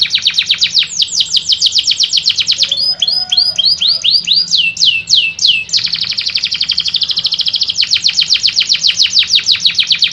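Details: Lure song of a canary, played to make lazy canaries sing: rapid high trills broken by a run of slower, looping swept notes, then another long, fast, dense trill.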